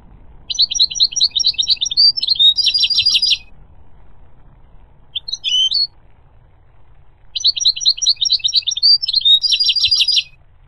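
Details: Two extended goldfinch song phrases of rhythmic, rattling chirps and tinkling trills, with a short isolated call between them; background calm apart from a faint low hum.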